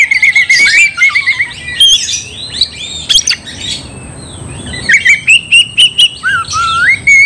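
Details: Provoking song of an oriental magpie-robin, sung to rouse another bird to fight: bursts of sharp chirps and squawks, a pause near the middle, then clear sliding whistles and rapid repeated notes, a faint constant high hiss behind.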